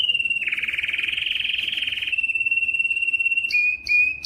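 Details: Canary song for training young birds and prompting males to sing: a broad, fast buzzy trill gives way to a thin, pure sustained note, broken near the end by two short higher chirps.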